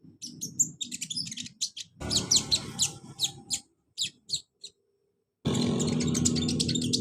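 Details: Olive-backed sunbird (kolibri ninja) used as a singing lure for a reluctant caged bird: rapid clusters of thin, high chirps and scratchy twitters, a brief silence, then dense twittering against loud broadband background noise.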